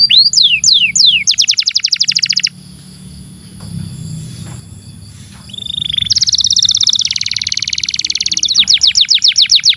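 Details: Captive canary singing a long, nonstop song used as tutor song for young canaries and ones that stopped singing: falling slurred notes, then a fast rattling trill, a quiet hum-filled pause, and a dense buzzy trill breaking into clipped notes.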